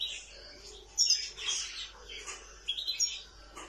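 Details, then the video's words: Nightingale giving quick, high, varied chirps and short trilled bursts that rise and fall in loudness over a few seconds. "طائر العندليب الحسنية"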